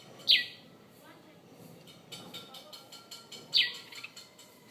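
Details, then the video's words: Morning chirps from a bird at a bedroom window in Conakry: two sharp downward-sliding notes about three seconds apart, with soft clicking and murmuring in between. "Bird chirping from my bedroom window"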